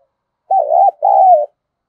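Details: Decoy spotted dove calling to lure others. Two loud mellow coos follow each other closely: the first wavers and the second is drawn out, sliding slightly downward.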